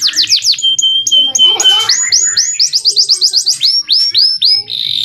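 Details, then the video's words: Canary, a male, singing a clear training song for young birds: rapid falling notes, a flat held whistle, a short noisy break, then strings of fast rising notes and slurred whistles. "MASTERAN BURUNG KENARI PAUD AGAR CEPAT BUNYI DAN GACOR - kenari jantan gacor jernih"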